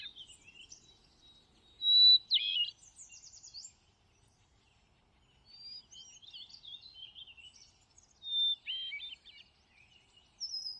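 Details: Thrush song, mostly soft, rambling twitters and warbles, broken by two louder whistled phrases with buzzy trills and a thin high note at the end.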